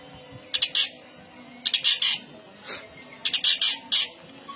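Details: A long-tailed shrike gives harsh, scratchy double and triple squawks in short clusters with pauses between, meant to prompt other shrikes to answer and sing.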